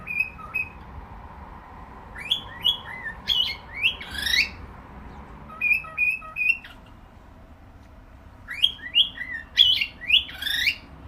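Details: Cockatiel repeating its whistled song in three bursts over about eleven seconds, each a string of short level whistles and rising, swooping slurs, separated by quiet pauses.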